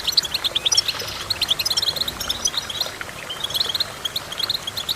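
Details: Goldfinch song made of quick, bright chirps and twittering trills, densest in the first half and then thinning into scattered single pips, with light steady background noise.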